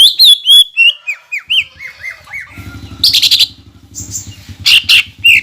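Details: Greater green leafbird, singing to provoke rival leafbirds; a run of looping whistled notes falling in pitch, then harsh buzzy bursts over a low mechanical hum.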